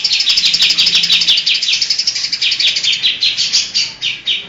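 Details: Greater green leafbird singing energetically, its song filled with imitations of other birds such as kapas tembak, kingfisher, cililin, lovebird and cucak jenggot. A fast run of bright, high, rising-then-falling whistled notes, roughly three per second, sharp and ringing.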